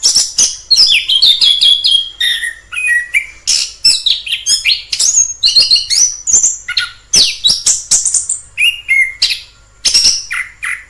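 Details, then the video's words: Long continuous song of a wild orange-headed thrush: tumbling stream of varied whistles, sharp chips, buzzy trills and sliding notes with barely any pause. "Suara asli anis kembang di alam liar"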